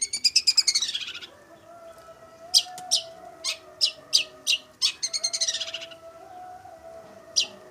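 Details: Long-tailed shrike song, a lively bird whose singing is rated as top-class material for training other birds: harsh chattering bursts rising in pitch, then a run of sharp separate chips, another rising chatter, with a faint steady tone underneath.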